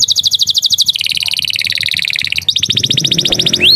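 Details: Canary in full song, its repertoire filled with Javan tesia and bar-winged prinia phrases: fast high trills of repeated notes that drop in pitch midway, then resume as a rapid, rising, buzzy rattle.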